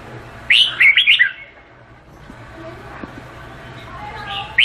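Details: Red-whiskered bulbul of the Vietnamese type singing one short, bright, warbled phrase of quick rising and falling whistled notes. Quiet low background hum, with faint softer notes toward the end.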